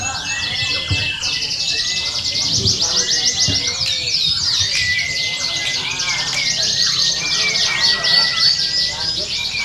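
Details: Canaries at a simulated singing contest meant to train champion birds. Crowded high trills and rolling warbles run throughout, while people talk and a few low thuds sound in the background.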